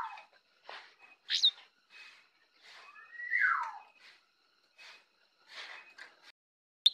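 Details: Jongkangan in the morning, giving soft chattering notes, a high sharp chirp, and a long rising-then-falling slurred whistle, followed by quieter chirps and a final sharp click.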